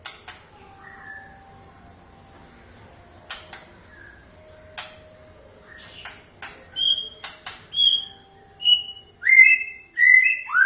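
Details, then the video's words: White-rumped shama (murai batu) starting quietly with sharp clicks and a few sparse notes, then building into clear, bright whistled phrases that grow louder and more frequent toward the end. "Kicauan khas Murai Batu"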